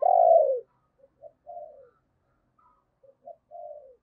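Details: Lure spotted dove cooing to draw in wild doves: one loud falling husky coo, followed by two quieter groups of short notes ending in a soft drawn coo.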